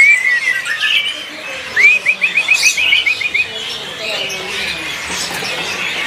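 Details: A caged white-rumped shama (murai) in a black cage at a kiosk in Pramuka bird market, East Jakarta, sings bright whistled notes, then a quick run of about eight clipped, repeated notes, over busy market noise and other caged birds.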